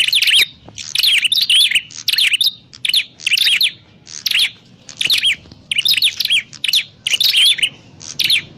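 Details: Prinia call played as a trapping lure: steady series of loud, high chirp clusters, about one each second, each a quick tumble of sharp notes with short silences between.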